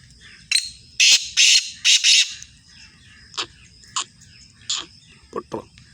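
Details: Black francolin (kala tetar), described as Sindhi breed: four loud, harsh, grating bursts in quick succession, followed by softer scattered squawking notes over a low background rumble.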